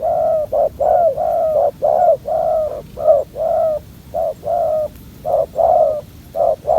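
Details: Aggressive young male spotted dove at a decoy trap, not yet showing its full neck collar, cooing strongly: short low hollow coos repeated about once a second, some notes ending in a slight downward slur.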